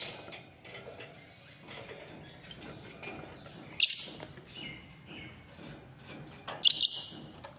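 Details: Singing Fischer's lovebirds: two intense, shrill squeaky bursts about three seconds apart, with quieter chatter between them and a low background hum.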